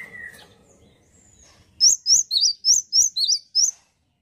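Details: After a soft lower chirp and a thin whistle, a male great tit bursts into seven loud, clipped notes seesawing between two high pitches at a brisk, even pace.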